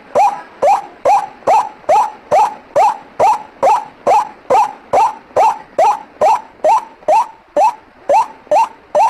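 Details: White-breasted waterhen call used as a bird lure: harsh, rising croaking notes repeated steadily about twice per second, about twenty in a row, with no other sounds.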